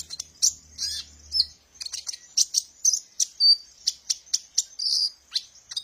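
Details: Kolibri ninja sunbird song used as a lure and therapy for birds in training: rapid, very high, sharp chirps and short trills in quick irregular bursts, with brief buzzy notes between.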